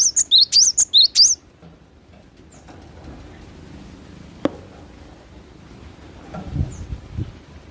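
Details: Cinereous tit singing actively in natural surroundings: a quick burst of about six high, sharp two-part whistled notes, each sliding upward, delivered in just over a second, followed by quiet background hiss with faint distant sounds.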